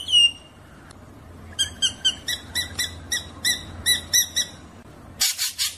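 A drongo sings a clear falling whistle, then a rolling run of about a dozen ringing, metallic notes, roughly three a second, ending in a harsh rasp.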